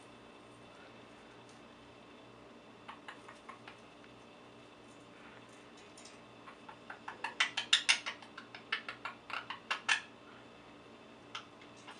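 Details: Irregular sharp clicks and taps like typing in a quiet room, with no animal voice. A faint low hum sits underneath throughout.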